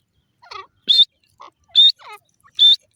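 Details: Grey francolin calling, known locally as gora teetar. Three loud, harsh, ringing notes come at an even pace. Softer, lower, scratchy notes fall between them. There is no other clear background sound.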